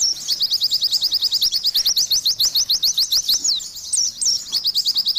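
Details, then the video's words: Busy pleci song from an Oriental white-eye, used to coax stressed birds into singing: a steady stream of thin, high, downslurred chips at a brisk pace, broken near the end by a few looping whistles. "TERAPI BURUNG PLECI"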